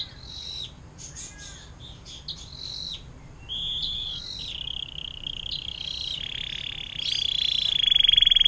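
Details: Canary song of the long 'air mancuran' type for tutoring other songbirds: opens with varied short chirps and whistled notes, then builds into a loud, rapid, buzzy trill rising toward the end.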